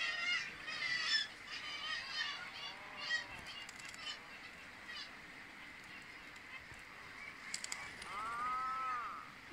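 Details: Fighting Atlantic puffins give harsh, nasal, rising-and-falling groans in short bursts at the start and again near the end, over steady wind and surf noise.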